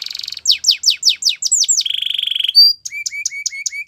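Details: ['A Russian canary sings a training song: a buzzy trill, then a run of quick descending sweeps, a low even rolling trill, a high whistle, and five short upswept notes.']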